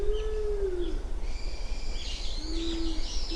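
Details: Japanese wood pigeon at Uwashima, Kaminoseki, Japan, 29 January 2024, around seven in the morning: a deep, slightly downslurred hoot, a pause, then a flatter second hoot, with faint high bird twitters behind.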